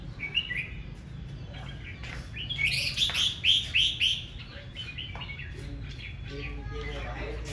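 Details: Morning aggressive song of a red-whiskered bulbul: a rapid run of about five loud, clear whistled notes bunched together, opening and closing with softer chirps and faint background sounds.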